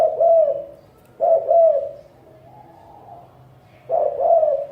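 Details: Cooing spotted dove, listed among the ten best cooing voices of 2020: three soft, throaty two-note coos with a pause of about two seconds before the last one.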